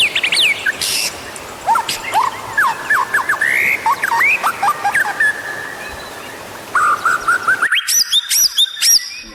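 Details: White-rumped shama singing, played to prompt other birds to sing: scattered rising whistled notes and short slurs, then a fast run of bright, high, repeated upswept notes at the end, over constant hiss.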